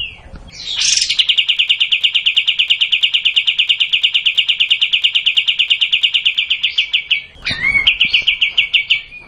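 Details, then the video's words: A single unbroken 'tembak panjang' trill from a kapas tembak bulbul: sharp notes repeated several times per second for about six seconds, ending with a short slurred note and a softer trill. "Kapas tembak panjang"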